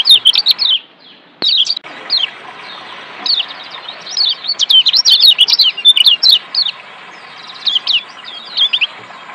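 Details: Lombok white-eye, the yellow kecial kuning of Lombok, in a song recording used as therapy to get reluctant birds singing: rapid high twittering bursts of thin, slurred notes, with brief pauses between phrases.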